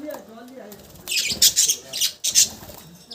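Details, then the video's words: After a quiet start with faint low murmuring, budgies break into loud, scratchy chirps in two or three quick bursts. "Cute budgies sound"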